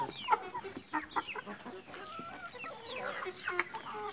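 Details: A flock of chickens feeding in a yard: rapid overlapping clucks and slurred chirps, with a few sharp pecking clicks near the start and a continuous low murmur of birds underneath.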